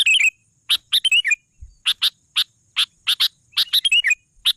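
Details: Sooty-headed bulbul in full voice: a twittering phrase of falling notes, a pause, then separate sharp chirps spaced roughly every third of a second, ending with another twittery cluster.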